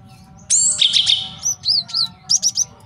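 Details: Male cinereous tit for master training and trapping, opening with a harsh buzzy burst and then a few separate high, slurred whistled notes.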